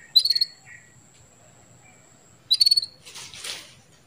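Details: Female canary calling to stimulate a male into breeding condition: two bursts of rapid, high pulsed chirps with a steady thin tone between them, followed by a short rushing hiss.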